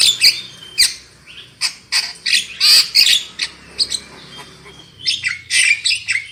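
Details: Lure song of a Javan myna, used to get birds singing loudly: bursts of grating, squawky chatter and brief whistles in uneven clusters, with a short pause midway.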